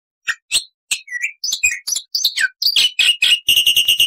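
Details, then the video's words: Black-winged starling singing loud, varied phrases: sharp chips and slurred whistles that gather pace, ending in a rapid, even, buzzy rattle. "MASTERAN JALAK PUTIH GACOR FULL ISIAN"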